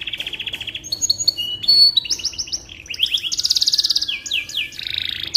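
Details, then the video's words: Canary song used to tutor magpie-robins: a quick trill leads into short pure whistles, rolling buzzy phrases and fast descending slurred notes, dense and continuous. "Suara Burung Kenari Cocok Untuk Masteran Burung Murai Batu"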